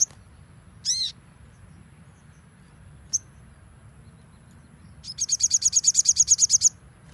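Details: Training recording of Crimson sunbird song in the nembak style: one harsh buzzy note, a brief high chip, then a sustained rapid run of about fifteen shrill high notes, low background hum throughout.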